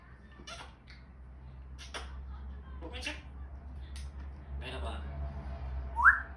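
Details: A 4-year-old talking African grey (Jako) parrot utters short, raspy, speech-like phrases and imitations every second or so, then a quick rising whistle, over a steady low hum; parrot.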